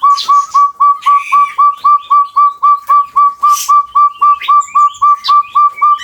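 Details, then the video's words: Javan chestnut-bellied partridge, found in West and East Java, Indonesia, delivering a long call: very regular, ringing whistles that rise slightly at the start, about four per second, with scattered higher calls from other birds. "suara panjang PUYUH GONGGONG"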